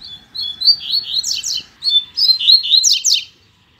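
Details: A male coleiro sings for his newly arrived female: a continuous run of high, rapid warbled notes, short downslurred sweeps and sharp buzzy strokes, ending abruptly in silence.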